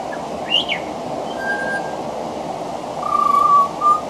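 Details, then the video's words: Pied butcherbird, a male, singing at a veranda with mimicry of other Australian birds woven in; a brief high upslurred note, then long pure level whistles, the last held nearly a second and followed by a short echoing note. "Mimicry of the pied butcherbird"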